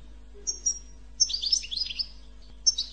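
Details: Goldfinch 'bitbita' singing meant to encourage other goldfinches to sing. A high whistled note is followed by a dense, tumbling twitter of liquid chirps, then another sharp whistle, over a low background hum.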